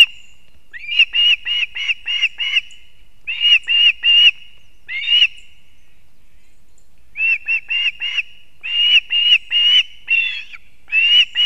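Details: At the nest in Latvia the osprey male brings two fish at once for the chicks, early morning 3 September 2024; quick strings of shrill whistled notes, four to six per burst, with pauses.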